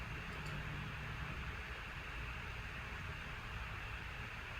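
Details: Steady broadband hiss like a running fan, with a faint tick near the start and no animal voices.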